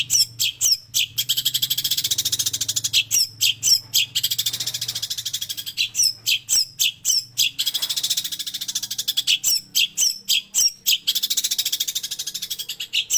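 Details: Long-tailed shrike, a master recording for training, with mimicry of sparrow and prinia; rapid, harsh, high chattering notes in dense bursts of sharp strokes, repeated several times per second with short pauses between phrases.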